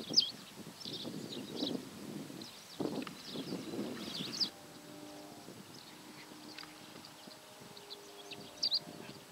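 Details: Cattle egret in Parc Natural de l'Albufera, Comunidad Valenciana, Spain, recorded on a JVC Everio camcorder: harsh, raspy low croaks in dense bursts for about four seconds, then quieter, with thin high chirps from small birds throughout.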